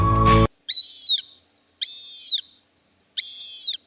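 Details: Montagu's harrier (Circus pygargus) giving three drawn-out, high, nasal whistled calls, each about half a second, spaced over a second apart, after a brief loud burst of other sound.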